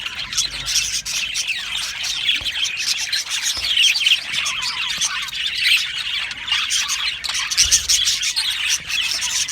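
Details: Happy budgerigars in an aviary colony keep up a dense, continuous chatter of overlapping chirps, squawks and warbles, with several loud bursts and no pauses.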